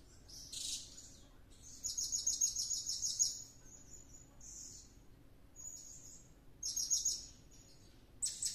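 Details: Blue-crowned hanging parrot in frenzied nonstop song after a luring outing; a shrill squeak, then rapid high buzzy trills of many quick pulses, short thin whistles, and another trill burst before a final sharp note.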